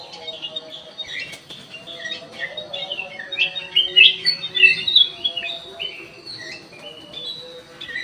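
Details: Black-crested bulbul kept in an aviary, singing energetically: busy stream of sharp chirps and brief whistled slurs, rising to a louder burst midway, with a faint constant background hum.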